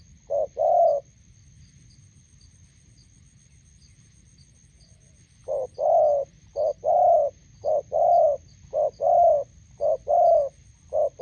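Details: Spotted doves at a roadside in Gia Lai, Vietnam, decoy bird and wild bird; one pair of soft coos, several seconds of quiet, then a quick regular series of short-long coo pairs.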